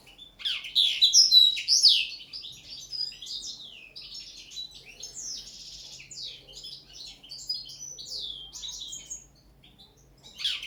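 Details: Common linnet at its first training session for table singing, delivering a fast, varied twittering song. High chirps, trills and slurred notes tumble out for about nine seconds, loud at first, then softer. A brief phrase returns at the end.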